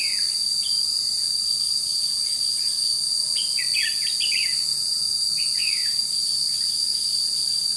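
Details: Red-whiskered bulbul kept as a decoy for trapping wild bulbuls, recorded 21 July 2016: bright, short warbled phrases bunched mid-way, sliding between notes, set against a loud, unbroken high insect chorus.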